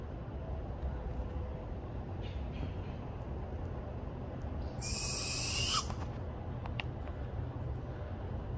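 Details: Barred owl perched on a branch beside a mountain-bike trail, giving warning screeches at a person who stopped nearby. A single harsh, hissing screech lasts about a second midway, over a steady low rumble.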